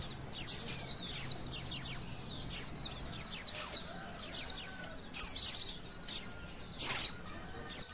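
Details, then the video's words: Oriental white-eye singing during an emotion and arousal test, with bursts of high, rapid, scratchy twittering that repeat roughly every half second and are separated by short pauses. "Tes Emosi & Birahi Pleci"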